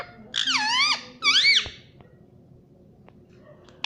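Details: Indian ringneck parrot uttering two wavering, whiny, rising-falling word sounds, then near silence broken only by faint clicks.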